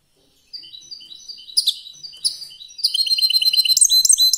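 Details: European goldfinch in competition singing, starting with soft thin repeated notes that swell into a loud, quick sequence of bright metallic twitters and trilled chirps.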